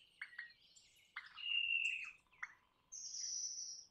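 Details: Crimson rosella (Platycercus elegans) mixes short sharp chips with a sustained, clear whistled note. It then gives a higher, steady piping whistle lasting about a second.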